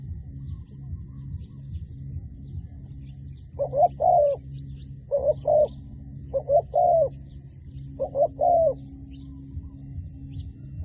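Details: A dove calling frequently gives four soft cooing phrases of two or three mellow notes, each phrase a few seconds apart, over a steady low hum.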